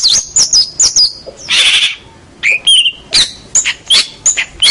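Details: Local champion long-tailed shrike used for training songbirds: quick high whistled slurs, a burst of harsh scratchy noise, then a mix of sharp chips and short downward-sliding whistles in brisk succession.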